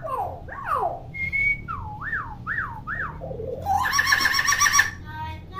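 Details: Talkative common hill myna, captive bird used to train young mynas to sound off; a falling double swoop, a flat high whistle, then three quick rising-falling whistles, ending in a harsh buzzy burst and a short note.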